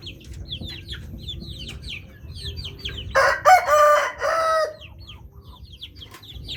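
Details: Bangkok chicken cock giving a loud crow, a grating, hoarse call in several surging parts for about a second and a half, set against steady twittering of small birds and a low hum.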